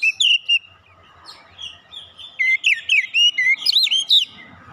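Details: Oriental magpie-robin (kacer), a raw untrained bird, in fighter-style song: a few loud whistles, a soft warbling pause, then a fast run of bright, looping whistled notes and sharp chirps.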